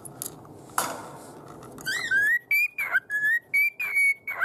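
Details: A pet cockatiel whistles an arranged version of the tune "Hato Poppo" in clear, sliding mid-high notes, broken into short phrases after a soft clatter and click, then happily chatters.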